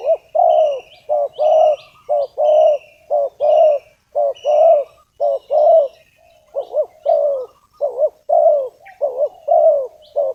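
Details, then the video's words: Lure spotted dove calling to draw in wild doves for snaring, with a steady run of throaty coo phrases about once a second, some notes wobbling up and down, over faint high whistles from other birds. "suara tekukur pikat, memanggil tekukur liar"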